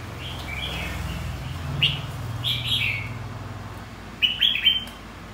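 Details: Red-whiskered bulbul singing for a contest, a white-cheeked bird being trained in competitive song: a few short warbled phrases, bright and slurred, set against a steady low hum.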